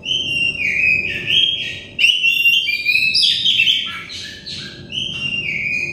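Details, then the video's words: Oriental magpie-robin song to help stressed birds sing: a steady whistled note, then tumbling varied whistles and chirps, closing with another long whistle over soft background hum. "terepi kacer bahan kacer setres kacer daon cepat gacor ngeplong"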